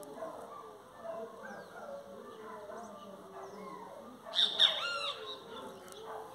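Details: Great kiskadee singing: one loud, harsh burst of a few quick notes near the end, set against a steady low murmur and faint background sounds.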